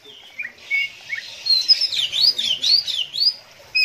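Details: Kacer, the Oriental magpie-robin, delivering 'konslet ngeplay adu mekanik' song: a few sliding whistles open into a dense, quick tumble of high swooping and zigzag notes, then ends on a lone whistle. The background is quiet.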